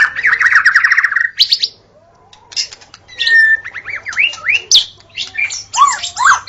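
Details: White-rumped shama singing in a forest: a fast run of repeated rising notes, then buzzy bursts and a series of upslurred whistles with harsh chatter between phrases.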